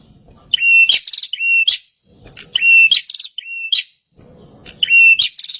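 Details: Loud prinia song meant for luring wild birds, a series of buzzy, slightly trilled whistled notes with sharp clicks, delivered in rapid bursts separated by short pauses, low rumbling noise underneath.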